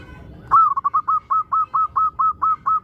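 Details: Zebra dove lure song meant to get other doves singing: an opening note followed by about ten evenly spaced, short, mellow coos at a steady rhythm.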